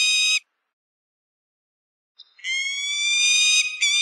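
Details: A falcon's shrill note cuts off, followed by nearly two seconds of silence, then a long, harsh, level scream lasting over a second and a brief final note.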